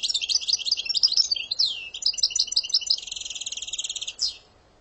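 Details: European goldfinch singing Algerian-style phrases such as dawdaw, kiakia and sawsaw: a continuous jangling twitter with a dropping sweep, then a string of evenly pulsed rattling notes and a final short slur.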